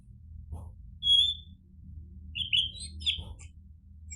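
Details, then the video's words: Orange-headed thrush (anis merah) singing: a short sustained whistle, then a cluster of bright, warbled, rising and falling notes after a pause, over a low steady hum. "PANCINGAN ANIS MERAH biar bunyi NYAUT JADI GACOR ikut NGEPLONG"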